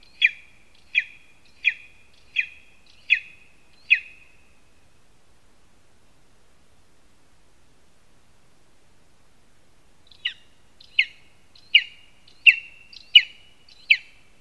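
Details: At a nest in a spruce in Zemgale, Latvia, a lesser spotted eagle (Clanga pomarina) gives two bouts of six sharp, high yelping notes, evenly spaced under a second apart, with silence between.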